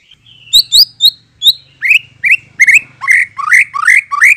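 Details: Lure recording of a white-rumped shama singing to draw a response: a few high, thin whistles give way to a run of strong, rising, buzzy-edged notes that speed up, over a faint low hum.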